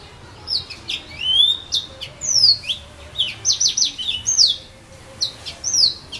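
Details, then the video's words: In casuarinas at Saint-Philippe on Réunion, a yellow-fronted canary delivers a long, varied warble of high sliding whistles and quick chirps in bursts, with short pauses between phrases. "serin pays 974 st philippe"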